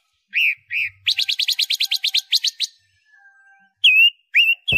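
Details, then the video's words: Loud robin panca warna singing as training material for pet songbirds: two bent whistles, then a rapid run of buzzy notes lasting about a second and a half, a pause, and further rising whistled phrases. "MASTERAN SUARA BURUNG ROBIN PANCA WARNA, Si kecil bersuara lantang....."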